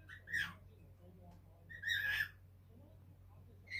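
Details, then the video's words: A five-month-old cockatiel perched on a light-blue sand perch chatters in three short bursts of warbled, whistled notes around two to three kilohertz, with a low steady hum underneath. "オカメインコのぴぃすちゃん只今 お話し中"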